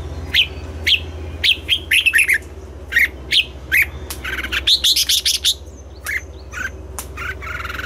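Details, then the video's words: Red-whiskered bulbul singing in the morning in double-note wild style, with a steady series of single chirps and then a denser, overlapping stretch of warbling notes over a low hum. "Luyện giọng cho chào mào hót sáng, ép chào mào hót âm kép già rừng hay tuyệt!"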